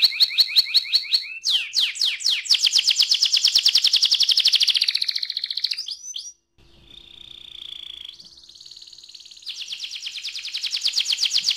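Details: Canary in ngerol rolling song, a lure to get other canaries singing: loud rapid trill of repeated high notes sustained for several seconds, a short pause, then a lower steady tone and another fast high trill.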